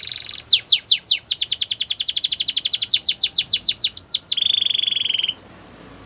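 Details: Belgian canary singing as a training recording: a long run of rapid downslurred notes accelerating into a steady low buzzy trill, ending with a brief high whistle, over soft background hiss.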